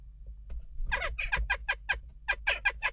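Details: Western jackdaws at a nest box during unrest, a rapid run of about a dozen harsh, nasal calls in under two seconds, over a low steady hum.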